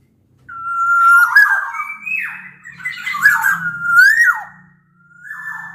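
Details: Large-bodied black-naped oriole from Sumbawa, whose song serves as a lure to prompt other orioles to sing: smooth level whistles turning into swooping, slurred fluty phrases with faint high squeaks, then one final whistled note after a pause.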